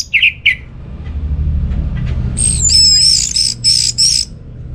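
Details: Orange-headed thrush song used to lure reluctant home birds into singing: two short squawky notes open, then after a pause a run of loud, high, warbled whistled phrases, over a low steady hum.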